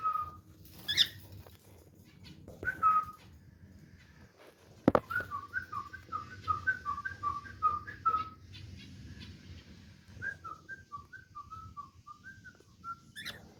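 A cockatiel whistles a quick run of clear, bouncing notes, broken by a few sharp chirps.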